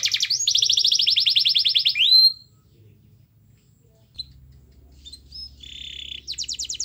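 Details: Canary song as a lure for a quiet canary: a loud rapid trill of repeated notes for two seconds ending in a rising whistle, a long pause with faint notes, then another short trill.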